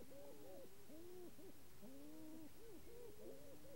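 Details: A displaying sharp-tailed grouse on the ground, wings spread, tail raised and stamping, hoots; low, hollow hoots and cooing notes overlap in a steady chorus, some rising and falling, over a faint rumble.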